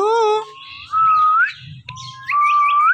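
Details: Indian ringneck parrot talking and dancing; a short meow-like note followed by two long clear whistles, each climbing steadily higher, with soft chatter between.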